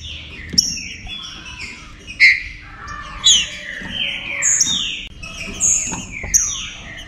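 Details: Green-winged saltator song used to stir other saltators into activity, in an 'enfemado' style. Rich whistled phrases repeat roughly once a second, each slurring down from a bright, high start, with crisp clicks between phrases over a low hum.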